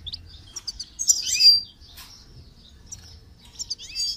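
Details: Goldfinch in song training gives a loud buzzy, tinkling phrase early on, then quieter scattered chirps and a final twittering flourish.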